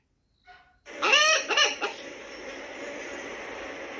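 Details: Hen calling, a farm chicken: after a faint short note, two loud harsh rising-and-falling squawks with strong overtones, then a brief clipped note, followed by steady background hiss.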